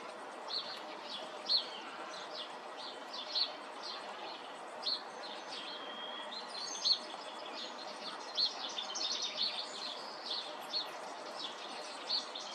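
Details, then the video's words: Robin singing a melodious song: high, varied warbling phrases with thin whistled notes and trills, repeated in bursts every second or two over a steady hiss of background noise. "Robin tells melodious tale"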